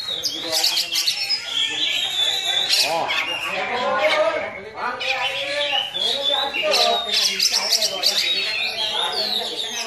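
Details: Oriental magpie-robin, a newly kept young bird, singing myna-like phrases: grating, buzzy bursts in clusters, harsh squawks and rolling harmonic notes, with short gaps between loud outbursts.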